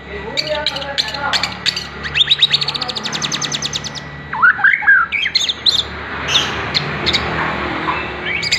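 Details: White-rumped shama (murai batu) singing, a lure song for morning and evening. A rapid series of sharp repeated chip notes gives way to rich whistled phrases and high trills.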